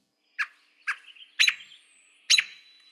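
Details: American Robin pup call, a contact call, heard in Maine in spring: four short, sharp pup notes at irregular intervals over about two seconds, each a clipped, high chip with a slight ringing tail.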